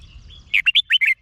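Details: Red-whiskered bulbul song from Thailand, used for playing to caged birds to excite them: a thin faint whistle, then a single rapid phrase of five or six loud, chirpy, rising and falling notes.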